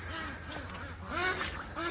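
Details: Farm ducks on a Northern California homestead quacking through a winter rainstorm, unbothered by the weather; several nasal, rasping quacks overlap, with steady rain and wind hiss underneath and a man's voice nearby.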